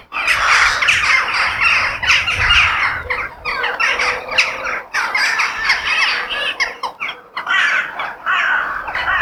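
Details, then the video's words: Crows in a natural setting give loud, grating squawks in tight clusters. Brief gaps separate bursts of hoarse calling, and the calls stay rough and overlapping throughout. "The Sound of Crow In Nature"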